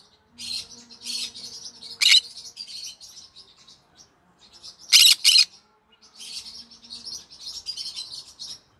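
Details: Green-cheeked conure parrot singing in the evening, a steady stream of high, scratchy chattering notes broken by harsh, loud squawks, two close together near the middle, with a brief pause before the chatter resumes.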